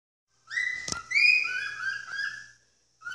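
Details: A pet cockatiel screaming at this hour gives loud, ringing whistled cries, rising and then sliding down over about two seconds, with a short return call and one sharp click.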